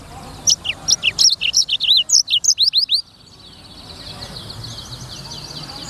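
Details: Sanger, the black-throated canary, delivers three seconds of rapid chirped and slurred notes, dense and high, before the song trails off into faint distant twittering.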